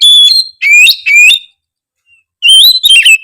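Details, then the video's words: Chatty oriental magpie-robin, whose singing is meant to encourage lazy magpie-robins to sing. Loud whistled notes and rising slurs in two groups, separated by a one-second pause. "siulan kacer gacor memancing kacer malas bunyi menjadi lebih rajin bunyi"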